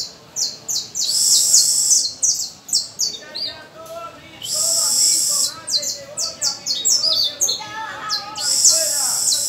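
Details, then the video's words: Young canary pupils practicing with an adult canary on the first of May: high sustained trills alternating with fast repeated descending whistles, with softer lower warbling phrases running beneath. "Los discípulos practicando con mi Canario el primero de mayo"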